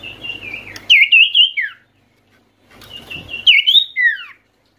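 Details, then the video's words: Oriental white-eye (sirtu), a bird in full voice, used to coax quiet or stressed white-eyes into singing: two high, thin twittering phrases of quick warbled notes, each ending in a falling slur, with a pause between them. "sirtu malas bunyi pasti langsung nyaut dengar pangilan SIRTU/CIPOH ini"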